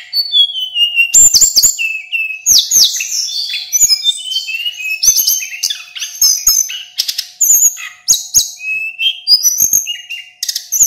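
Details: Eleven seconds of unbroken song from a male local mountain Little Pied Flycatcher, a master recording for training other birds: varied sliding whistles, buzzy phrases and crisp ticks tumbling together at high pitch, with a low steady hum beneath.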